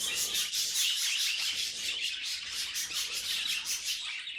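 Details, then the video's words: Budgerigar chatter: rapid, busy twittering, high and raspy, pulsing along at a quick, uneven beat without pause. "Funniest Budgie Sounds Caught on Camera"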